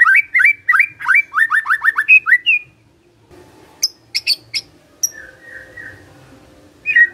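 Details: A Magpie-robin sings a fast string of repeated downslurred whistles, then pauses and gives a few very high sharp notes and a soft trilled phrase.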